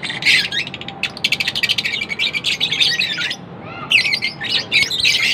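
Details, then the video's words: Lovebirds chirping non-stop: dense, rapid high chirps and squeaky twitters in fast overlapping bursts, a short pause near the middle, then busy chattering resumes; several birds seem to call together. "lovebirds chirping sound Non-Stop"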